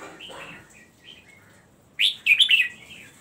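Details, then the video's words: Rolled double (gulung double, daba) song of a red-whiskered bulbul: soft warbled notes at first, then a loud, quick burst of clear, liquid phrases in the final second. "Merbah Jambul gulung double / daba"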